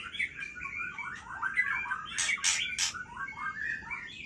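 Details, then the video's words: Night-time song of an Aceh White-rumped shama: busy warbled whistles sliding up and down, broken by three harsh scratchy bursts in the middle, then lighter twittering phrases. "Murai Aceh Bergaya Tengah Malam"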